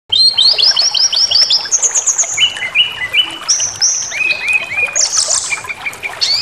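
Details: White-rumped shama song played as an emotion-baiting recording meant to provoke rage and full repertoire: rapid clear whistled notes, a run of rising chirps followed by varied descending whistles and a final harsh burst, steady and loud.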